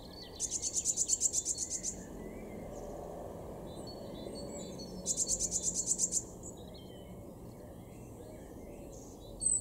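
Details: Eurasian blue tit singing in a garden in Weener, East Frisia, far northwest Germany, April 2022. Two very high, fast, even trills of about a dozen notes come five seconds apart over a steady low rumble.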